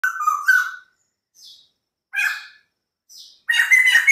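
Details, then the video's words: White-crested laughingthrush singing energetically: a slurred whistle near the start, then short gaps broken by faint notes, a harsh chattering burst, and a loud rich jumble of notes at the end. "POKSAY JAMBUL PUTIH GACOR DOR"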